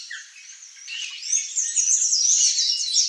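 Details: Palm tanager singing a continuous, high, squeaky warble that builds in loudness, with thin slurred notes running together without pause.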